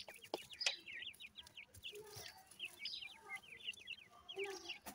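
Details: Several grey francolin chicks call together, giving rapid runs of sharp V-shaped chirps in quick succession, with scattered clicks and a few lower notes in the background.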